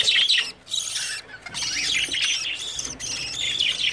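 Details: Breeding budgerigars in early summer produce harsh high squawks and chattering bursts, with a brief pause near half a second and another around one and a half seconds.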